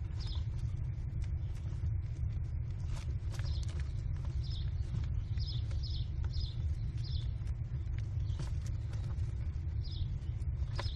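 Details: American kestrel chicks, four in a nest box, in a food frenzy as their mother delivers prey, with steals and screaming; short, high, down-slurred cries repeat about a dozen times over a steady low rumbling hum.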